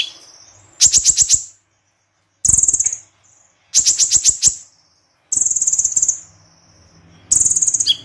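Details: Crossbred white-eye (konin) singing in the 'tembakan' style: sharp, very high rapid trilled bursts of about half a second, fired roughly every one and a half to two seconds with short pauses between, no other sounds.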